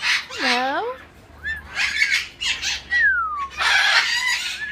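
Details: An umbrella cockatoo at a pet store gives harsh, speech-like squawks and rising-falling whistled tones over about five seconds, with human voices mixed in.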